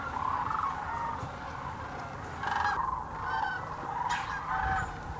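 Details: Sandhill cranes gathered by the thousands at Hiwassee Wildlife Refuge, East Tennessee, on their yearly migration. Clear rattling, trumpet-like calls surge in waves every second or two over a constant background murmur of the flock.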